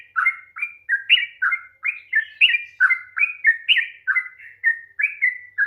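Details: Sooty-headed bulbul, rapid long song played to stimulate a reluctant bird: crisp whistled notes, each with a rising and falling slur, repeated about three times per second in a clean, uninterrupted sequence.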